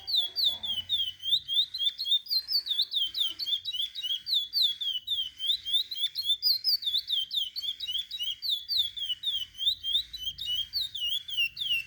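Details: Chestnut-bellied seed finch singing a long teaching song for young birds: bright whistled notes, looping and slurred, repeated nearly four per second without pause for about twelve seconds, musical and varied.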